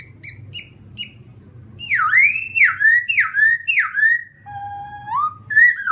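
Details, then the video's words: Laughingthrush song to provoke another bird: soft paired high notes, then loud swooping whistles falling and rising in quick succession, a low steady whistle, and a final rising slur. "khướu kích bổi"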